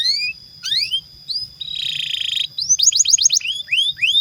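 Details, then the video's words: Canary song used to prompt other canaries to sing and train young birds: rising slurred whistles, a dense buzzy roll, then a quick run of sharp upslurred notes and sweeping whistles. "PANCINGAN Kenari GACOR PANJANG INI Cocok untuk Masteran KENARI PAUD dan Kenari Macet"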